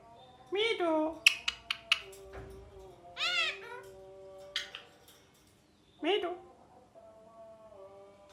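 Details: Pet rose-ringed parakeet, said to be talking and repeating "mithu mithu": three loud, harmonic, arched squawks about three seconds apart, with sharp clicks and short taps between them over a faint steady hum.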